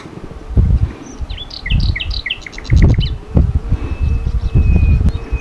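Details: Common nightingale singing in a Sithonia, Greece forest in spring, 22 April 2018: quick rising-and-falling notes repeated in a run, then a rapid high trill and long thin whistles, over loud low rumbling thumps.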